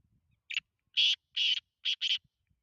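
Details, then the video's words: Black francolin calling: a short harsh opening note followed by a series of loud grating rasping notes, the last two close together, in near silence. "Kala teetar ki awaz."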